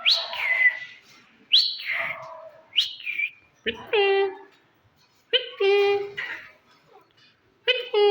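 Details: Pet rose-ringed parakeet (green ringneck) in Pakistan talking, saying "mitthu": a series of speech-like, harmonic-rich syllables, some sliding down from high whistled tones, others steady and nasal, separated by short pauses.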